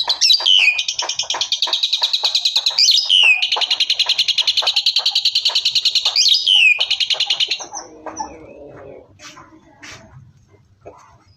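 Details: Asian pied starling (jalak suren) giving loud full-shot song: sustained fast high-pitched chattering with three sharp descending whistles, ending abruptly at about eight seconds, followed by softer low notes and faint background sounds.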